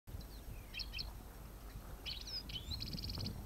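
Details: European goldfinch during an autumn capture on 5 November 2017: bright, tinkling twitters in short bursts, ending in a quick rapid trill, over a steady low rumble of wind or distant noise.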